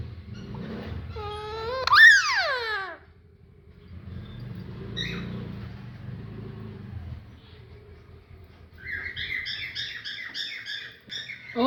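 Alexandrine parakeet gives one loud, harsh, wavering screech, then after a quiet stretch with low indoor hum, a rapid run of short, high chattering notes.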